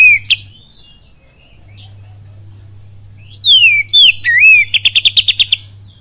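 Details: Oriental magpie-robin singing in the full kapas tembak style used as a lure: loud downslurred and wavy whistles, then a rapid run of about eight sharp, evenly spaced notes, over a steady low hum.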